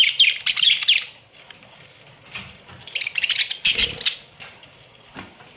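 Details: Australian budgies in a colony, a short burst of warbled chirps at first, then scattered single chirps and soft squawks with quiet gaps and some low rustling.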